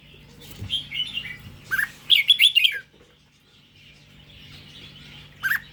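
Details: {'text': 'Red-whiskered bulbul of the Indo strain sings a quick burst of bright, whistled warbling notes lasting under a second. A softer chirp comes earlier and a short final note follows, with faint background chatter between the phrases.'}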